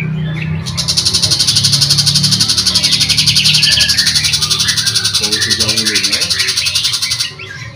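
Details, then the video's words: Long-tailed shrike, called pentet macan or cendet macan, in full lively song for a training recording that includes magpie-robin phrases. Quick varied chirps and short rising notes sit under a dense, rapidly pulsing high buzz, with low music throughout. "Pentet Macan Gacor Dor | Masteran Cendet Macan"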